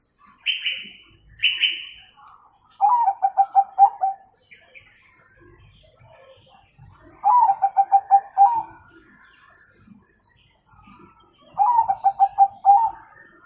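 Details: Zebra dove, Bangkok type, singing its prized 'kung' note, used to train young birds to sing: three bouts of low, rapidly pulsed cooing about four seconds apart, with two brief higher whistled notes at the start.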